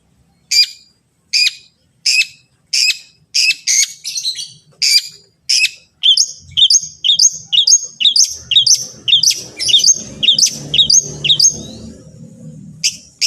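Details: Long-tailed shrike song played to set other shrikes singing: harsh, buzzy notes repeated roughly every 0.7 seconds, then a quicker run of clipped chattering notes, with low rumbling noise near the end.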